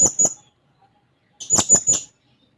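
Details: Blue-crowned hanging parrot in full voice, seeking a rival, giving two quick shrill notes and then, after a short pause, three more piercing high squeaks in a tight run.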